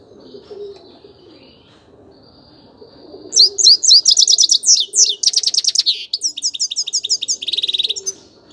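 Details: After a few seconds of faint background, a grey-crowned goldfinch bursts into energetic high twittering song, mixing quick liquid chirps, a rattling buzzy section and evenly repeated bright notes.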